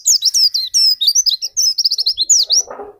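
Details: White-eye lure song meant to prompt another white-eye into singing: a dense, fast stream of very high, sweet slurred notes, each rising or falling, delivered almost without a break, with a brief soft rustle at the end.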